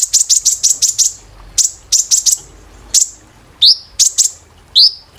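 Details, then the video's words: Caged-bird training recording of a sunbird: clusters of piercing, very high clicking chips repeated rapidly in groups of five or six, followed by separate rising slurred whistles. "KOLIBRI NINJA TERAPI GACOR"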